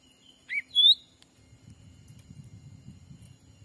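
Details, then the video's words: Lure call of the black-capped bulbul, used in a Sumatran forest to bring wild birds close for trapping. A quick dipping whistle followed by a rising slurred note, then a low rumbling background. "suara asli pikat cucak ranting"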